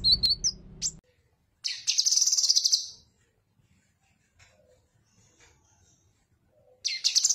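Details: Cucak kinoi song used as tutoring material for other birds: two dense, buzzy, chattering bursts high in pitch, each lasting about a second, separated by a long quiet gap, with a brief low rumble at the start.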